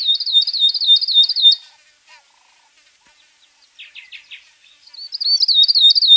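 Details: Northern grosbeak-canary (Crithagra donaldsoni) giving rapid, high, twittering phrases of quickly repeated notes; after a short pause come a few lower buzzy notes, then the twittering resumes.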